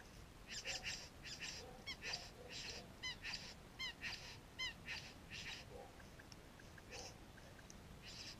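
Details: Satin bowerbird at a garden where the birds fly in for pet food, recorded on a GoPro Hero 3: a series of grating, churring bursts interleaved with quick downslurred chirps, then quieter scattered ticks toward the end.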